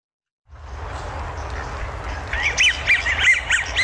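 American Wigeon giving a quick run of breathy, wheezy whistles that rise and fall, several notes a second, over a steady hiss of background noise.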